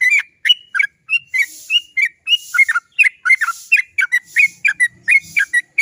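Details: Long rolling song of a sooty-headed bulbul, used to stimulate other bulbuls to call: chains of quick, mellow whistled notes jumping up and down in short bubbly phrases, steady and continuous, with faint low murmurs near the end.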